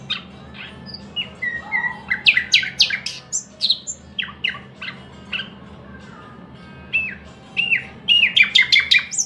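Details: Thrush nightingale song with short upslurred whistles, a dense burst of sharp high notes, pauses, and a final quick series of rising chirps, with a steady low hum beneath.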